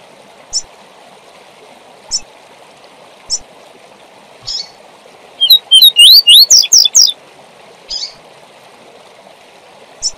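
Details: Double-collared seedeater singing the tui tui zel zel training song for teaching young birds: one quick phrase of rising whistled notes that turns into buzzy downslurred notes, with sparse sharp chips around it over a steady rushing, water-like hiss.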